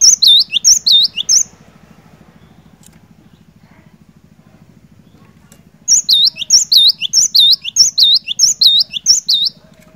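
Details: Cinereous tit, a lively singing bird, giving bursts of loud, high, whistled three-note phrases repeated rapidly, with a pause of several seconds between bursts over a low steady hum.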